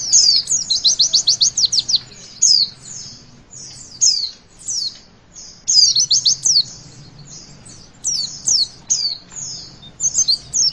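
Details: Witwit-style song of a Javan white-eye, used to get young birds singing: repeated volleys of quick piercing descending chips alternating with short high sweeping whistles, steady low background hum.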